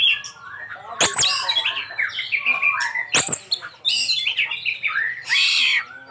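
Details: An Oriental magpie-robin (kacer) delivering a rich isian: sliding whistled notes, quick warbles and two sharp clicks, ending in a bright burst of high chatter.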